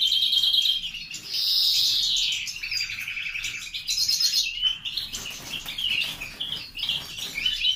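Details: Captive-bred grey-winged mutation European greenfinch singing a fast, varied run of high twitters, buzzy trills and rattling notes, with no gaps between phrases.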